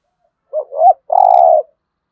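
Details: Spotted dove cooing, used to lure and stimulate other doves: two quick soft lilting notes followed by one longer, steady, slightly buzzy coo, a single complete low phrase.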